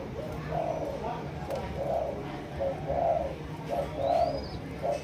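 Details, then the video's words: Two-month-old spotted dove of the Malaysian line, from a breeder of doves, bred for the 'chiêu gù chạy' cooing style, giving soft, low, hollow coos in a loose series about one per second, with faint background hiss. "Cu Gáy Malaysia, Dòng Chiêu Gù Chạy"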